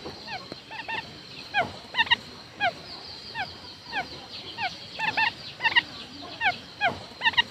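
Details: Quail decoy call used to lure birds for trapping: short, downward-slurred harmonic notes in quick clusters of two or three, repeated at irregular intervals, with several overlapping callers over a steady hiss.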